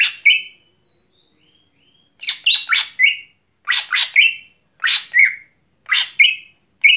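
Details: Greater green leafbird singing after dark: after a quiet pause with faint thin whistles, bursts of rough scratchy notes each ending in a short buzzy tone, repeated steadily about once a second.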